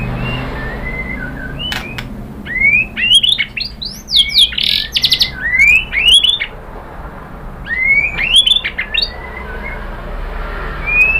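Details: Lure song of a white-rumped shama, meant to get other birds to answer: bright rising whistles and buzzy upslurred phrases in bursts, with sharp clicks between, over a low background hum.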